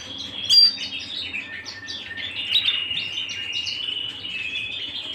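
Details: Canary singing at home, a sharp piercing note opening a run of rolling trills and clear whistled phrases, changing pattern every second or so.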